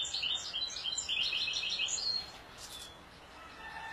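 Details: European goldfinch singing a lively run of fast, jangling twitters and buzzy high notes for about two seconds, then quiet with faint distant whistles.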